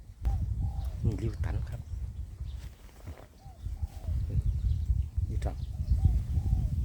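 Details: Cooing of a spotted dove recorded in Phrae, Thailand: gentle paired coo notes recurring about every three seconds, with a man briefly speaking and constant low wind rumble.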